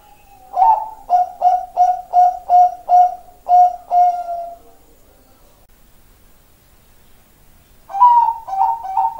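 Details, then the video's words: Bangkok-type zebra dove singing in a champion style, offered as training material: a rhythmic series of about eight rounded, hollow coos, a pause of a few seconds, then another quick burst of cooing notes. "SUARA PERKUTUT BANGKOK JUARA"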